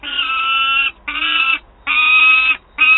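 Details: Young peregrine falcon at Wałbrzych, 9 August 2022, begging its mother for prey: four long, harsh, nasal wails, each near a second long, separated by short silent gaps.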